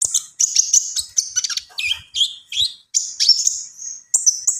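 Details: Javan pied starling song in full, varied phrases: shrill high whistles, sliding notes and clustered chatter, broken by short pauses.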